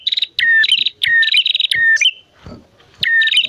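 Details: Male and female bar-winged prinias singing hard, a lure to get prinias singing: high buzzing trills linked to lower slurred notes, phrases coming in quick succession with a short gap near the end.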